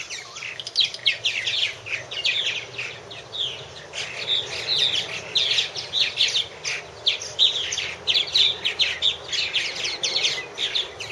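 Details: Several purple martins around a nest house, 2014 nest-cam recording: a steady stream of chirruping, warbled notes and short rising chips, the birds overlapping throughout, some bursts louder and closer.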